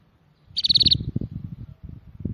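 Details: Rapid high-pitched trill of seven or eight clipped notes from a small bird, immediately followed by loud low thuds and rumbling handling noise.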